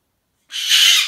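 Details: Loud, raw, broadband shriek of just over half a second, cut off abruptly, from a cockatoo in a hormonal temper tantrum.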